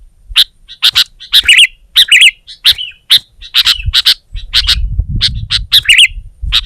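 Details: Sooty-headed bulbul pushing a rival with energetic song, other bulbuls joining: crisp chirps spaced about every half second, some ending in a short, gurgling warble, with a low rumble rising in the second half.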